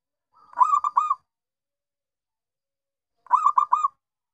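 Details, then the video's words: Local zebra dove, perkutut lokal, singing in bungkak/gacor manner: two matching phrases of three fast, rounded, rolling coos, roughly three seconds apart, with clean silence between. "Perkutut Lokal Bungkak/gacor"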